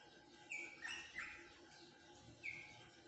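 A rosella gives four short, bright whistled chirps in about three seconds, three grouped early and one after a pause, over a steady electrical hum.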